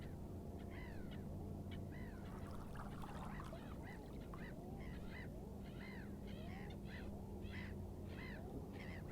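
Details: Common eider calls: many arched, harmonic notes repeated in quick succession, seemingly from several birds, over a steady low rumble throughout.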